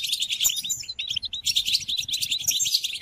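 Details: Brief European goldfinch song for training caged goldfinches during moult: quick, busy high twittering with thin whistled and buzzy notes throughout three seconds.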